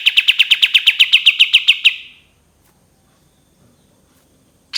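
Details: Cream-vented bulbul song ending in fast, even, repeated sharp notes. The phrase fades after about two seconds into near silence, and a new burst starts at the very end.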